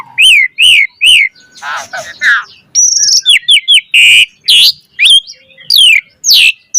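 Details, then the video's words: Asian pied starling singing actively in a lure recording meant to trigger other birds, with fast, varied chatter: looping whistled notes, raspy bursts, then a quick series of rising-falling whistles and sharp high notes. "Pancingan Jalak Suren Gacor Mompa Variasi Suara Burung Kicau Cepat NYAUT Gacor Full Isian Mewah"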